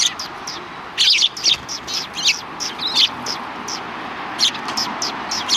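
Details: High, squeaky chirps from a flock of sparrows near a Tenmangu shrine on 13 December 2019, loudest in a burst early on, then sparser twitters over constant low street noise.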